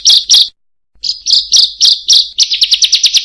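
Bar-winged Prinia giving loud, harsh, buzzy chirps, at first spaced, then speeding into a rapid clipped series of 'kriek' notes.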